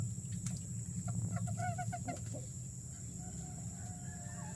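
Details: Bantam hen having just laid her first egg gives a brief burst of rapid, ringing clucks lasting about a second, then goes quiet; a heavy low droning hum and thin high whine run underneath throughout.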